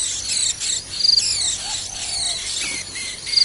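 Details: Wild white-eyes at their nest while feeding their young: a dense run of high, thin chirps and quick downward-sweeping notes overlapping one another, with short buzzy pulse bursts in between.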